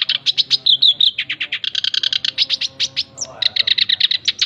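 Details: A male black-browed reed warbler sings energetically on a training and luring recording: an unbroken, rapid series of grating, evenly repeated notes with a short whistled slur near the middle.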